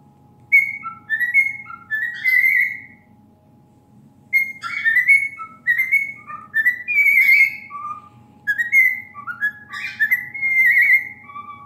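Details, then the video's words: A pet cockatiel sings clear, melodic whistled phrases, rising and falling, in two bursts of about four seconds each, over a faint low indoor hum. "I have never heard a cockatiel sing so prettily!"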